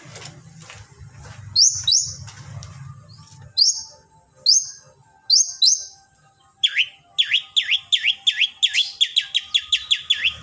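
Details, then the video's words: Long-tailed shrike training song for prompting other shrikes: spaced sharp high chirps at first, then a quickening series of falling whistled notes, over a faint low hum early on. "cendet lain bakal langsung bunyi || masteran cendet"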